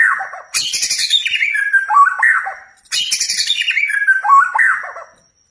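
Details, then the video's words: White-rumped shama phrases meant to provoke a kept shama's song: two matching harsh, noisy bursts that slide down into whistled, warbled notes, each lasting about two seconds with a short gap between. "Pancing Emosi Murai Anda Biar Gacor Dor"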